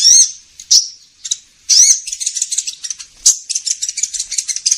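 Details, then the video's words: Sunbird call played as a lure for trapping: high slurred notes followed by a dense, scratchy chatter of quick high chips, all very shrill. "Suara pikat burung kolibri ninja"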